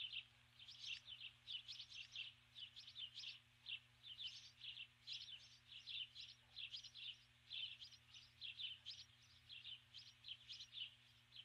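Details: Osprey, a female on the nest at dusk calling to her mate, who stays away: a long sequence of high, piercing chirps in short clusters, repeated almost without pause.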